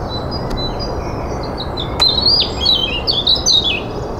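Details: A European robin singing in spring gives a high, liquid warble of quick, tumbling phrases that slide up and down, over a steady rushing background and a couple of sharp clicks.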